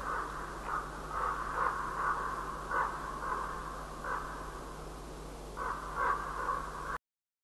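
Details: Common ravens calling each other at daybreak on 5 March 2012: a run of hoarse, throaty croaks repeated roughly every half second to second, some doubled, with brief pauses between bursts and a constant low background hum.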